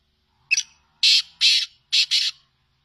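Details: Black francolin, called kala teetar in Sindh, giving a harsh grating call: a short sharp note, then two loud rasping bursts and a final doubled burst, each about a quarter second long, in an otherwise quiet setting.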